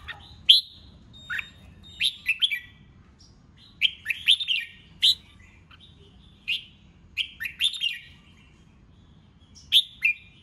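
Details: Red-whiskered bulbul male in ché chét contest singing that provokes newly caught birds; short bubbling phrases of three to five bright, liquid chirps, repeated every couple of seconds with brief silences between.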